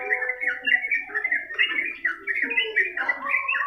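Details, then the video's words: Sooty-headed bulbul (trucukan) singing nonstop for a tutor recording: rich, bubbling whistled phrases in rapid sequence, each note a short rising or falling slur, loud and clean against a quiet background. "masteran burung trucukan gacor ngedur durasi panjang"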